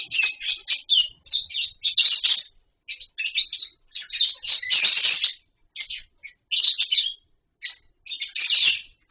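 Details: Colony-housed lovebirds give choppy, high squeaks and chirps in short clusters, with one longer loud burst of chatter midway and frequent small silences.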